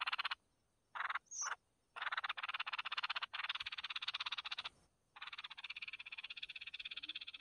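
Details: Red-whiskered bulbul nestlings begging while their mother feeds them: long, insistent raspy buzzing made of rapid pulses, broken by brief pauses, with one high sharp chirp early on.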